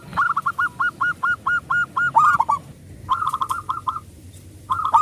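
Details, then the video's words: Zebra dove of local stock singing as a lure to set other doves singing; evenly spaced, hooked cooing notes run in a steady series, then break and resume in shorter bursts. "perkutut lokal gacor suara besar pancingan super ampuh 100 % di jamin ikut manggung"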